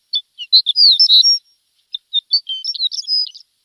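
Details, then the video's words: Javan bush lark song in a training recording for untrained birds: two short bursts of mixed whistles and scratchy high chirps separated by a brief silence. "Masteran Branjangan!!"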